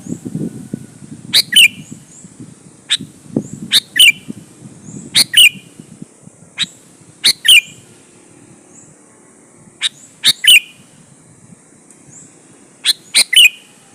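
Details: Long bout of sooty-headed bulbul song used to entice other bulbuls to reply: about seven short phrases spaced one to two seconds apart, each a crisp high note and burry slurred whistle, some rustling and thumps early on.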